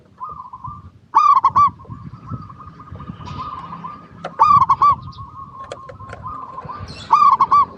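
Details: Zebra dove of a local strain, recorded to prompt other doves to sing: three loud bursts of quick, rolling coo notes about every three seconds, joined by quieter, level hummed tones and a few faint clicks.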